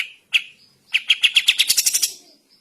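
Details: Morning song of a sooty-headed bulbul, recorded as a tutor track for training birds: a single chirp, then an accelerating series of crisp notes that turn higher and thinner before stopping.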